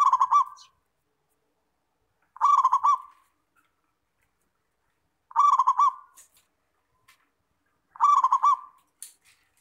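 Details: Local Zebra dove (perkutut), a frequently singing kept bird, recorded clearly as a training song for other doves: four stuttering cooed phrases of quick pulsed notes ending in a trailing coo, repeated about every three seconds in a quiet setting.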